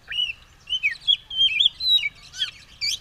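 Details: Oriental magpie-robin ready to fight and spreading its tail, singing loudly: varied clear whistles, rising and falling slurs and quick warbled phrases with some buzzy notes, over a low rumbling background.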